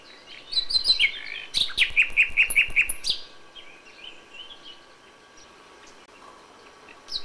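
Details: Common nightingale singing at dawn in May: a few whistled notes, then a loud burst of rapid, evenly repeated chirps lasting about a second and a half, followed by near quiet with faint distant notes.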